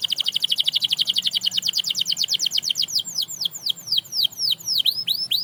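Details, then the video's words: Canary leading other canaries back into song: a rapid, even run of short chipping notes that slows and widens into broad, curved, swooping whistles. "Watch How This Canary Inspires Others to Sing Again!"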